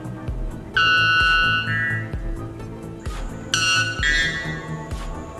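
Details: White bellbird, a tiny bird with among the loudest calls, giving two very loud, ringing, metallic blasts about three seconds apart, each dropping to a lower note, over a thumping music beat.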